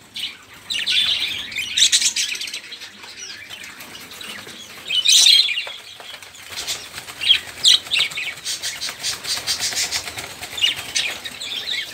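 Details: Flock of budgerigars chattering noisily, meant to coax silent songbirds into singing. High, rapid twittering and squeaks come in waves, mixed with fluttery broadband rustling like wingbeats, with loud peaks near five and seven seconds.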